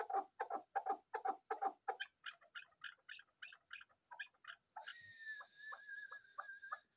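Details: Male and female chukar partridge: rhythmic, throaty clucking notes about three per second that turn higher and sharper midway, then give way to a steady whistled tone broken by short downward strokes.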